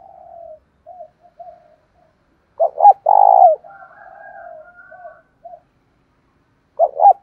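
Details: Spotted dove lure call to incite fighting, loud thổ đồng style: soft cooing, a full phrase of two quick notes and a long deep coo with quieter overlapping coos, then the start of another phrase.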